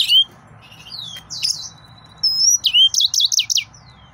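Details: Male yellow-fronted canary, excited, delivering high sweet whistles and a buzzy note, then a rapid string of rolling, looping notes repeated about six times in under a second.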